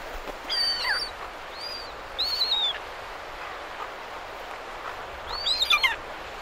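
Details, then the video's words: Several Silver gulls calling at Perth, Australia, with surf in the background: harsh, arching high squeals in scattered bursts, some stacked and wavering, over a constant roar of waves. "Silver Gull. MCU Calls From Several. Surf In B/G. Perth, Australia"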